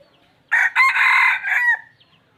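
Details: Red junglefowl gives a single clear crow lasting just over a second. A short first note is followed by a long, strained, buzzy middle and a falling tail, with near-silence on either side.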